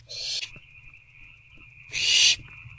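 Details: Nestling owls inside an owl box on the night of 21 April 2024 while both parents deliver food. Two rasping hisses, the second louder and longer, with a faint thin whine running underneath.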